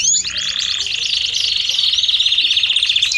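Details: Belgian canary song in a fast, buzzy rolling trill held at a steady high pitch after a short opening flourish of sweeping notes.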